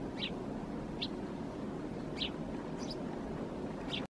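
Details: A Eurasian tree sparrow perched in a thicket in Helsinki, Finland, in January 2022, gives short, bright chirps, about five in four seconds at an uneven pace, over a steady low rumble.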